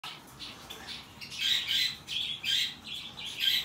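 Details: A hand-tame rosy-faced lovebird chick in Fukuoka, Japan, December 2023, gives about six harsh, raspy squawks, high and buzzy, roughly two per second after a quieter start; nothing else stands out.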